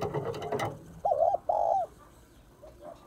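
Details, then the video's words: Female spotted dove calling to stimulate males: two low, smooth, hollow cooing notes in quick succession, each about a third of a second, after a burst of rustling noise, then a fainter pair of soft coos. "Cu gáy mái kích trống"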